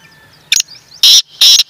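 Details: Black francolin giving a brief call: a short clipped note followed by two loud, rasping, broadband syllables about half a second apart, with little else audible.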